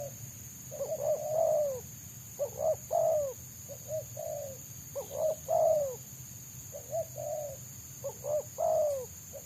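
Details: Wild spotted dove sought by trappers, a fast, dense 'selang nguku' style song. Low hoarse cooing phrases, each a few quick notes and a longer rolling coo, repeated about every two seconds over a steady high whine.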